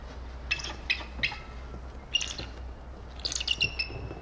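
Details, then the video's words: Eagle in Alaska calling: thin, high chirping notes in short clusters, a few near the start, one in the middle and a quick run near the end, over steady low background rumble. "Alaska eagle sounds off!"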